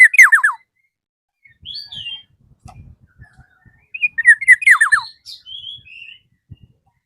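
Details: A black-naped oriole calls a rival in two loud bouts of rasping, descending notes separated by soft fluty whistles. Faint low thumps and knocks sound in the background.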